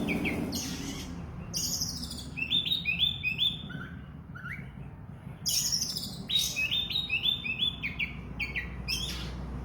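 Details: Kacer, oriental magpie-robin, pouring out a varied song in two bursts separated by a pause: rapid whistled slurs, chirps and buzzy high notes over faint low hum.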